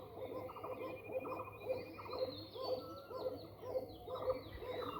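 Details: Several young Koka domestic pigeons, calling in their loft before release, coo together in soft, low, repeated hoots about twice a second.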